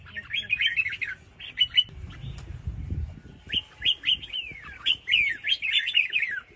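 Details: Female red-whiskered bulbul calling to stimulate males to sing. Repeated quick, sliding chirps come in lively phrases, some notes sweeping down sharply, with a brief quieter stretch in between.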